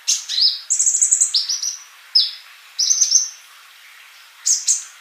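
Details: High-pitched sunbird song used as a tutor recording: sweet, thin whistled notes broken by fast, rattling trilled bursts, with short pauses and a final pair of sharp chirps.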